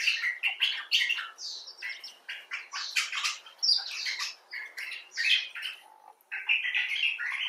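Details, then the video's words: Expressive bulbul talk from a common bulbul, some birds recovering from injury and others outdoors: dense, scratchy, squawking chatter of quick warbled notes, rising and falling, broken by brief gaps. "Bulbul Talk: The Common Bulbul (Pycnonotus barbatus)"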